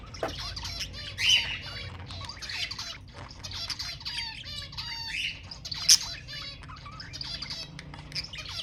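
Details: Sound meant to stimulate budgerigars to mate: steady, quieter warbling with repeated scratchy trills, occasional louder squeaks, and one sharp high note near the end.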